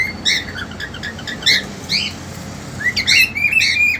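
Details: Chirping from a caged male cockatiel desperate to mate and a two-month-old female. A few scattered short notes, then a run of rising, whistled chirps near the end, with a faint room hum underneath.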